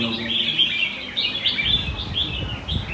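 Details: Caged red-whiskered bulbuls at a Sunday-morning singing competition in Quy Nhơn city, 21 June 2020, pour out overlapping bright warbled phrases and chirps, with a low murmur of people talking beneath.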